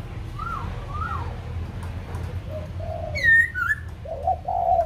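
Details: A white-crested laughingthrush in Kbang, Vietnam: two soft upslurred whistles, a pause, then a sharp high descending whistle followed by rich warbled notes that grow louder toward the end.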